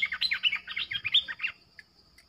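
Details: Streak-eared bulbul, a caged lure bird calling to wild birds: a rapid burst of about ten bubbly, chirping notes over one and a half seconds, then a couple of faint single notes and a steady high hum.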